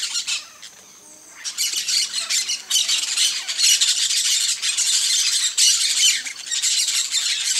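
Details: A flock of peach-fronted parakeets at a feeder gives dense, harsh, overlapping squawks and screeches. The chatter starts briefly, drops for a moment, then runs almost unbroken in loud, rough bursts.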